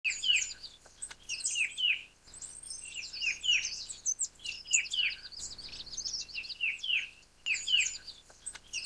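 A Verditer flycatcher gives a busy stream of high, sweet chirps and twittering notes, almost unbroken, with no other sounds.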